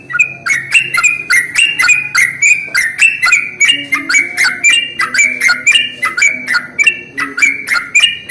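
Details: Sooty-headed bulbul (trucuk) lure sound for attracting bulbuls, a rapid series of short sharp chirping notes with bright upper overtones, repeated almost twice per second in an uneven rhythm, over a faint low hum.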